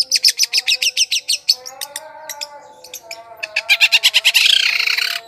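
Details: Long-tailed shrike lure song for attracting wild birds: quick trains of sharp high notes, a quieter stretch of tonal phrases, then a rapid rattle ending in a loud harsh burst.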